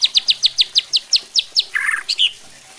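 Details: White-rumped shama singing to provoke other shamas into song and aggression: about eleven evenly spaced sharp descending notes, then a short scratchy burst and two clear whistles.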